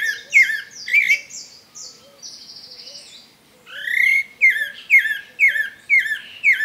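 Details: Pale-breasted thrush, sabiá-branco, singing in the wild during breeding season, melodious phrases followed by a rapid series of bright rising whistles roughly twice a second, with a faint low whistling bird behind.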